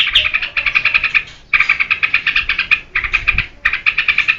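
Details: Song of a yellow-vented bulbul, played to lure and train cage birds, given as bursts of rapid chattering notes split by short pauses into four rattling phrases.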